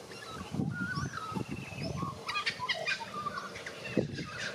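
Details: Australian magpie, white-backed form, singing its warble song in Australia: a busy run of varied whistles, gurgles and slurred notes, with low rustling sounds beneath.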